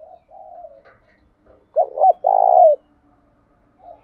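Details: Spotted dove lure call: soft distant coos, then a loud close phrase of two short notes and a long throaty coo, with another faint coo at the end.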